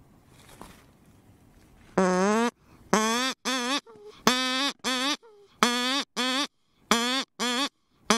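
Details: Cory's shearwater (Calonectris borealis) gives a run of loud, harsh, nasal wailing notes, grouped roughly in pairs about every second, after a quiet start.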